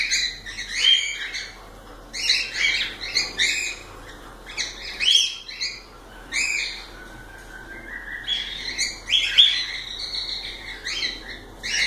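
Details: Cockatiels chattering in a long run of overlapping squawky chirps and whistles, with one longer rising whistle near the end.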